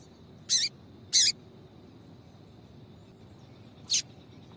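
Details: Female papa-capim calling so that males start singing; two strong high chips half a second apart, then after a pause a single thinner sharp note, all over low steady hiss and a faint continuous tone.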